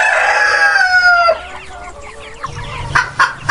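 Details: Cock crow from a farm flock of free-range and farmed chickens, caught at its drawn-out, falling close, followed by softer scattered clucks and a few sharp clucking notes at the end.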